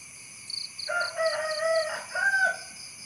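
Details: Rooster crowing: a drawn-out, harmonic-rich crow with a rising opening, a long steady middle and a short final phrase. High, rapid chirps pulse repeatedly in the background.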